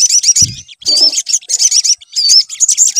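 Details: A sunbird lure song for making a bird sing: bursts of thin, very high chirps and wavy whistles in quick groups, with a brief low thud near the start.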